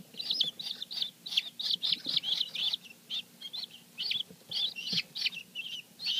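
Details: Newly hatched guineafowl keets on their first day, a domestic batch kept indoors months before release: a dense chorus of high, shrill peeps, many overlapping, several each second with brief gaps, faint low handling noises beneath.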